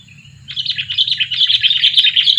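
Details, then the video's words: Two-year-old sooty-headed bulbul lure bird producing a continuous stream of rapid, twittering notes that grows louder toward the end, with a faint low hum beneath. "Pikat burung kutilang , burung kutilang pikat umur 2 tahun"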